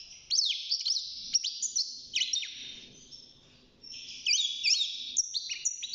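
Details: Caged young European goldfinch at six months, early in its singing: bright high twitters and downward-sweeping slurs, a short quiet gap around four seconds, then more tinkling phrases.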